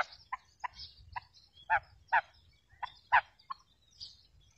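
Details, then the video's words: Female quail used as a trapping lure gives clipped, grating notes in an uneven series, some much louder and stronger than others, about ten over four and a half seconds, with light bird chirps and low rumble behind. "female quail sound effect | new kirk batair bulara ` madi Batair ki kirk"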